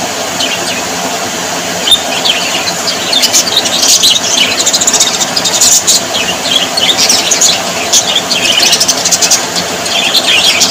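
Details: Budgerigars, described as happy Australian parrots, in a dense, continuous chorus of high chirps, squeaks and short warbles that overlap without pause, with a steady low background hum.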